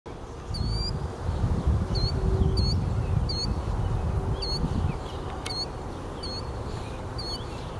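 A Killdeer gives shrill, high, rising 'dee' notes about every three-quarters of a second, over a steady low rumble of wind or distant traffic.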